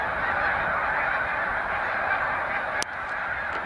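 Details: Snow Geese gathered in large flocks on Cayuga Lake, New York, during a spring migration stopover, 20 March 2021; steady massed honking broken by one sharp click, after which it sounds slightly softer.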